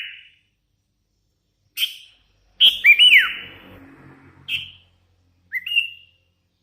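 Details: Young hand-raised sooty-headed bulbul in strong song: a few whistled notes and one long descending slurred whistle, with soft low rumble behind.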